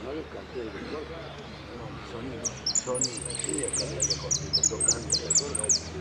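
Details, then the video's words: Saffron finch singing an El Cristalino song of prio, golpe and pitadas. After a quiet opening, thin, high, ringing notes come in quick bursts. A steady low hum of voices and background noise runs throughout. "JILGUERO AUDIO"EL CRISTALINO" ( prio,golpe y pitadas)"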